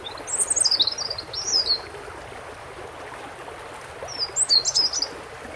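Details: European robin with a water background: two short phrases of very high, thin, tumbling notes separated by about two seconds of quiet, steady hiss, the second phrase a quick sparkling twitter.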